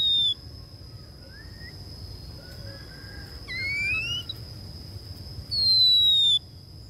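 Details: Female Oriental magpie-robin kept as a decoy, whistling to call wild males in: long pure whistles, one falling, one rising, one falling again, with faint softer notes between, over a steady high background tone.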